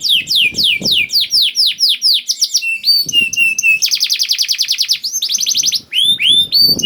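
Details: Canary in vigorous song used to make shy canaries sing: descending whistled notes, a pause, short twitters, then a long rapid trill and curling whistles at the close.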